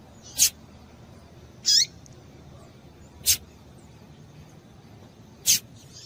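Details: A female double-collared seedeater in breeding condition calls to excite males: four isolated, very short, high, sharp chip notes spaced one to two seconds apart against a steady faint hiss.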